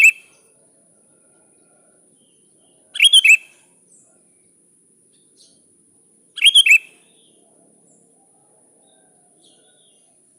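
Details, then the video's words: Sooty-headed bulbul calling to a rival, giving short rich whistled phrases of three or four quick notes spaced about three and a half seconds apart, with a thin steady hiss between. "Suara Burung kutilang gacor memanggil lawan"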